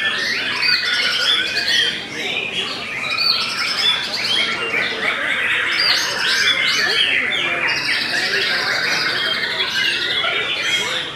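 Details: White-rumped shama of the Belanda type, singing steadily: a dense, unbroken stream of varied chattering and whistled phrases, many sweeping up or down, with harsh buzzy notes mixed in, about two phrases per second throughout.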